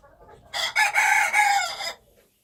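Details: Loud, raspy crow from a wild chicken rooster, lasting about one and a half seconds in several joined harsh segments, the last drawn out and slightly falling, with quiet surroundings.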